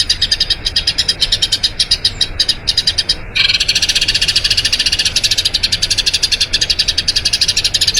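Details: Eurasian tree sparrow rolling song, kept as master audio to teach other birds: sharp chirps in quick bursts, then after an abrupt cut a faster, denser run of chirps that continues to the end.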